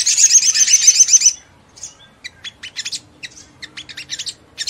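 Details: Ruby-cheeked sunbird song to rouse other sunbirds into answering with wing-fluttering: a loud, fast high trill lasting over a second, followed by crisp separate chips and twitters at an irregular pace.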